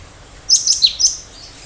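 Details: Cinereous tit giving a 'tembakan tajam' sharp-shot phrase of four rapid, shrill, high-pitched notes, short and crisp over a quiet background.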